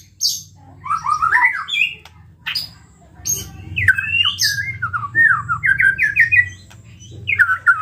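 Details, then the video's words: Agitated singing from a white-rumped shama, played to provoke other shamas: scattered high notes and clicks, then bursts of slurred chattering phrases and a rapid ladder of repeated notes, over a faint low hum. "PANCINGAN MURAI BATU GACOR EMOSI SEKALI DENGAR BONGKAR ISIAN"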